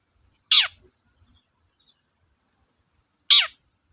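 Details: Long-tailed shrike heard on a lure track for reluctant birds: two loud, grating downward-sliding rasps about three seconds apart, with faint low knocking in between.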